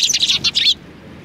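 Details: Sparrows at a Tenmangu shrine in Japan, recorded on 23 January 2019: a dense burst of bright, quick chirps overlapping for under a second, then quiet background.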